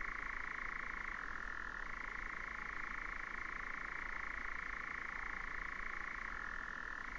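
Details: Sustained dry trilling of a European nightjar from 2019, the churr dipping lower twice in pitch then rising again, otherwise steady and uninterrupted.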